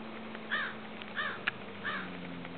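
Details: Snow goose of the subspecies atlanticus, recorded 7.8.12: three short, nasal honking calls, each with stacked harmonics and spaced about two-thirds of a second apart, over steady low background hum.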